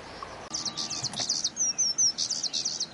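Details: Oriental skylark at Zhushan in May 2011: a short burst of clipped high chirps, then a few clear thin whistles, then more quick chirping, over faint background hiss.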